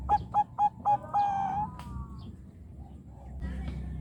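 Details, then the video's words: A Bangkok-type zebra dove (perkutut) answers straight away after another bird, with four quick, soft cooing notes about a quarter-second apart, then a longer drawn-out coo, over a low background rumble. "perkutut bangkok nutut langsung nyaut"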